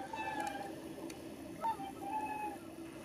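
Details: Taiga bean geese at Kabukuri-numa marsh, Japan, 14 December 2019, giving drawn-out, nasal honks and a brief sharper note, over a steady murmur of distant flock calls.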